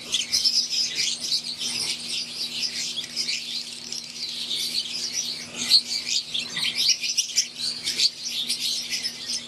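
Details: Aviary full of Fischer's lovebirds, wild-type green and Euwing: steady shrill chatter with scattered squawks and chirps from many birds, evenly loud for nearly ten seconds, faint hum underneath.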